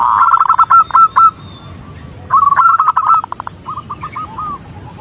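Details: Zebra dove female calling to a male, giving fast rippling coo trills, a loud phrase then a pause and another run of staccato notes fading into softer, spaced hoots.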